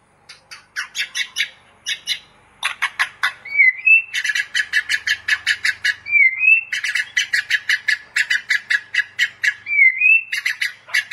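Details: White-rumped shama singing as a training master: rapid bursts of harsh, rattling chatter repeated many times a second, broken by a short rising whistled phrase about every three seconds.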